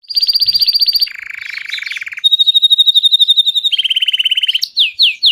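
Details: Gray Belgian canary singing, used to stimulate pet canaries to sing: loud, high rolling trills in fast even pulses, each held about a second before shifting to a lower or higher roll, ending in quick downward whistled slurs.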